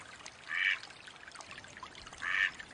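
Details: Wild mallard giving two nasal quacks about two seconds apart over a soft, hissing watery background.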